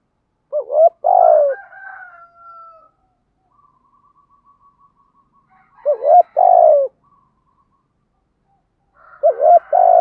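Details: Urging, calling coos from a spotted dove decoy meant to draw in wild doves: three phrases spaced roughly four seconds apart, each a short looping note plus a drawn-out descending coo, with a faint thin whistle in gaps.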